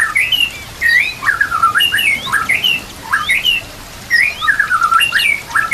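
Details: White-rumped shama song used as a master recording for training other shamas: loud, varied whistled phrases with rising and falling slurred notes in quick bursts, over a steady rushing water-like background.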